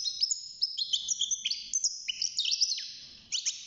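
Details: A caged young European goldfinch, about six months old and new to singing, gives a continuous high chattering twitter of liquid notes and sharp downward flicks.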